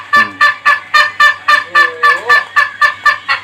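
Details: Ayam Ketawa rooster, known as the laughing chicken, producing a fast series of sharp, evenly spaced cackling bursts, close to four per second, with a brief sliding tone partway through and a low background hum.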